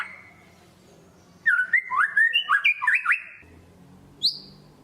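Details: White-rumped shama lure song: after near silence, a quick run of about eight short whistled and chattered notes over roughly one and a half seconds, then a single sharp high note.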